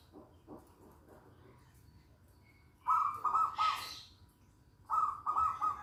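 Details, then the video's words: Local zebra dove singing: a three-note phrase of soft, rounded coos, a breathy hiss, then a matching three-note phrase two seconds later, with otherwise quiet surroundings. "Perkutut lokal GACOR"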